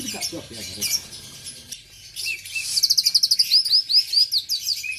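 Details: Oriental magpie-robin, a kept bird from Aceh, singing: after a quieter, rough start comes a fast run of about a dozen sharp, high, upslurred whistled notes, then a few longer slurred whistles. A low hum lies underneath.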